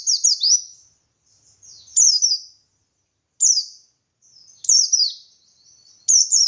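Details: A buxtoni white-eye sings ngalas style, played to make other white-eyes answer; bright, high, falling whistled notes in clusters of two or three, with soft twittering between phrases, recurring every one to two seconds.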